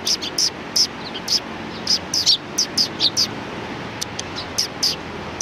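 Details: Sparrows of a neighbouring flock at a shrine, recorded 14 March 2019: short, high, sharp chirps repeated irregularly several times a second over steady low traffic-like rumble.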